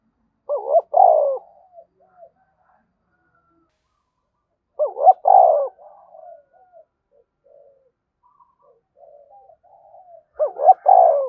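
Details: Energetic spotted dove coo in thúc bổi lure style. Three phrases about five seconds apart, each a quick warbling pair of notes ending in a drawn-out falling coo, with quiet low mutters in the gaps.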